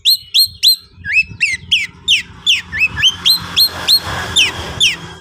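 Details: Fired-up Oriental magpie-robin (kacer konslet) calling a rival: a fast series of loud, clear whistles, some rising and some falling, roughly three per second, over a hissy, rumbling background.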